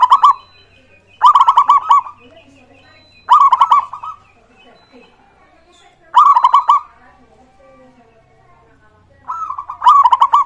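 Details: Zebra dove of local type singing as a lure to set other birds calling: five loud stuttering coo phrases, each a burst of quick pulsed notes, spaced two to three seconds apart in a quiet setting.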